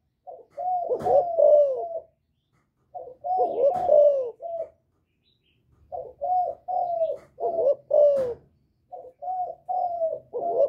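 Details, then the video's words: Spotted dove giving Thổ-style calling coos to provoke wild rival males, repeated phrases of hoarse coos roughly every three seconds, with faint clicks under the louder notes. "Cu Gáy Giọng Thổ GÁY GỌI kích bổi"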